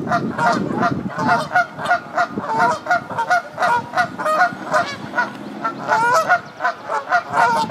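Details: At a nest on the South Pond in Midhurst, West Sussex, England, egg-laying Canada geese keep up loud, rapid, repeated nasal honks, sometimes overlapping, over a low murmur.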